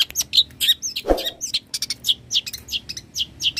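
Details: Long-tailed shrike, known locally as cendet, in lively song used as a master recording for training birds: dense run of short sharp chirps and whistled notes, varied and rapid, with one low thump midway.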